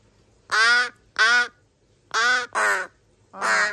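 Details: Three rescued young crow siblings, found as nestlings abandoned in a garbage bag and now in care for 26 to 27 days in July 2022, grow noisy: five harsh, nasal caws, each about a third of a second, in uneven bursts.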